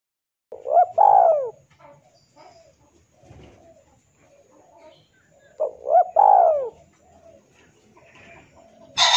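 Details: Male spotted dove calling a rival, a sound used for luring: two cooing phrases about five seconds apart, each a short coo, a hitch and a long descending coo, with faint rustles between and a sharp noise at the end.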